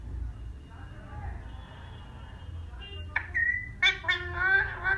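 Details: Tame parrot talking: after three seconds of low background rumble, a burst of harmonic, voice-like squawks and rising and falling syllables fills the last two seconds, with several short loud bursts.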